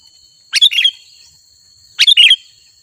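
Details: Two separate bubbly phrases from a sooty-headed bulbul in energetic song, played to attract wild birds; each opens with a sharp chirp and rolls into a short warble, about one and a half seconds apart, with a steady thin high tone behind.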